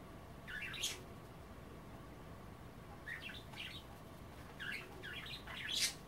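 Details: Budgies at bath time, picking at kale in water instead of bathing; bursts of scratchy warbling chatter in groups of two or three notes, with a few sharp clicks and low room hum.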